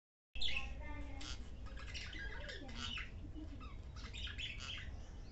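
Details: Pet parrot, angry on meeting a budgie for the first time and trying to bite it, gives a run of harsh, raspy squawks over a steady indoor hum.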